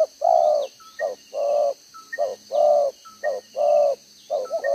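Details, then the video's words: Decoy spotted dove in Vietnam with a two-row spotted neck collar, cooing in the 'đồng gáy 1 hậu' style, 11/6/2023. Loud, hoarse two-note coos repeat roughly once a second, each long note held steady, over faint high bird chirps. "ĐỒNG gáy 1 Hậu"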